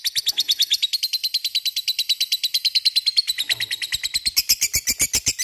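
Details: Continuous 'ngekek' chatter from a lovebird: quick, regular, harsh chirps repeated about three times per second without pause, growing slightly louder toward the end.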